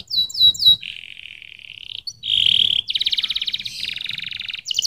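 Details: Singing canary with quick descending chirps, a long flat whistled note, a loud harsh burst, then pulsing rattled trills changing pitch from phrase to phrase.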